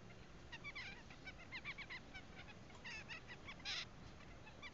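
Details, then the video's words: Double-barred (owl) finch singing, recorded 17 June 2015: soft, nasal, tooting notes in quick uneven bursts, mixed with several similar calls over a low steady hum. "貓頭鷹雀唱歌 Owl Finch"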